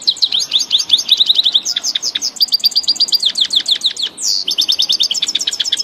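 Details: A grey-headed goldfinch from Tajikistan pours out a long, dense twittering song of high, fast, chattering notes with brief pauses and a sweeping whistle near the end.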